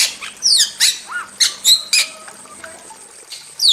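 A starling sings a fast, varied jumble of harsh squawks and clear whistles, some sliding up and some down, with high notes mixed among lower fluting ones.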